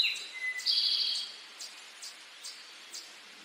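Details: Male Eastern towhee song, "drink your tea": a high note sliding down, a short lower whistle, then a rich buzzy trill lasting about half a second. Soft ticking clicks follow at intervals.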